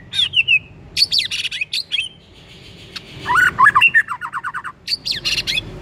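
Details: White-rumped shama song played to trigger another shama to sing: rich varied phrases of whistles and harsh bursts, a quick rolling trill in the middle, then more scratchy warbled notes.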